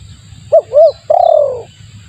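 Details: Spotted dove lure recording: a three-part phrase of two short arched coos and a prolonged downward-sliding coo, plus faint high chirps and a low hum.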